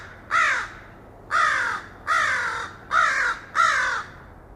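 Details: Five loud, grating crow caws, recorded directly, come at roughly one-second intervals. Each is brief and slightly descending, with a rough nasal tone, over faint background hum.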